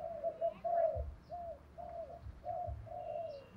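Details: Decoy spotted dove calling to lure wild doves: a steady row of soft, mellow coos over noticeable background rumble and noise.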